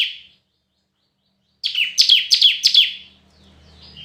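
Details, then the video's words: Red-whiskered bulbul, competitive singing: a fading note, a pause, then a quick burst of four clear downslurred whistles, followed by a faint low hum. "Chào Mào Hót Đấu"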